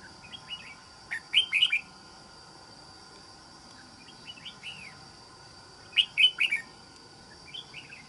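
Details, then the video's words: Red-whiskered bulbul, a wild-caught trap bird with a good island-forest voice, delivering loud bouncy whistled phrases twice, about five seconds apart, each led by softer introductory notes. Quiet gaps between phrases; a steady high hum persists. "Bẫy Chào Mào. Mau Mỏ . Bung Xoè.Gốc Mào Cao Dày . Giọng Rừng Đảo Tốt"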